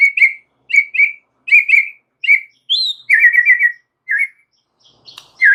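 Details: White-rumped shama, a very vocal songster: bright, clipped whistled phrases repeated in pairs about every 0.7 seconds, then a higher sweet note and a short rattling run.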